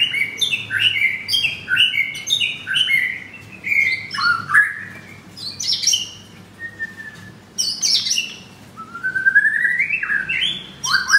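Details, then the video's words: At a bird shop in Kemayoran, Jakarta, a caged white-rumped shama sings in an agitated mood while answering rivals. Rapid descending chips repeat at first, followed by loud harsh notes and a rising buzzy trill near the end. "Murai Batu Gacor"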